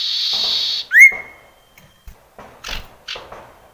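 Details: Common iora in the wild, recorded as a lure to prompt quiet male ioras to sing: one loud rising whistle that levels into a long steady tone, after a hissing noise band, with scattered soft clicks and taps.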